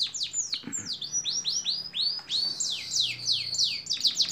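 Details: Long training recording of canary song, with strings of clear high swooping notes repeated rapidly, some slurred upward and others falling, forming a lively unbroken phrase.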